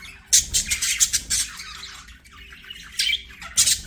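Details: Pet budgerigars singing as they play: loud clusters of harsh high squawks and chirps, a quieter murmuring stretch in the middle, then louder bursts again.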